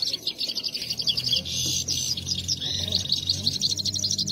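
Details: Himalayan goldfinches in a singing contest keep up a fast, high, liquid twittering of bright repeated notes with no pauses, over a faint low rumble, with people talking about four minutes having passed.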